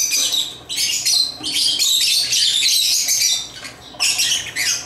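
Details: African lovebirds chirping while playing with toys: dense, harsh, high-pitched chatter in bursts of about a second, broken by short pauses.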